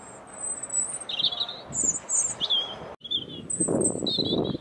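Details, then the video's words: Robin singing across a field to another bird, which is heard in the background: thin, high, warbling phrases in a few brief bursts over nearly five seconds, with a low background rumble. "Singing Robins"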